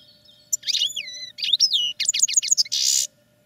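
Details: A caged goldfinch undergoing training sings a short phrase: drawn-out slurred whistles, then a run of sharp descending chirps, ending in a harsh buzzy wheeze; a steady faint mechanical hum persists throughout.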